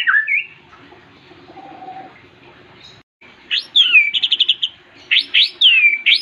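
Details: White-rumped shama, a champion bird, singing short phrases separated by a pause: a whistled slur, a quick run of about seven rapid bright notes, then sharp upswept notes and another long descending whistle.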